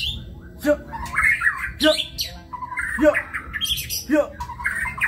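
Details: A white-rumped shama in kebyok-style song gives whistled phrases broken by sharp down-slurred notes, about one per second.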